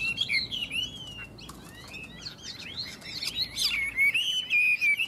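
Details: Caged Chinese hwamei in Tuyen Quang, Vietnam, sizing up a rival in a two-bird singing contest: high sliding whistles and rapid chirps, a quieter gap, then a loud burst of warbled whistled phrases.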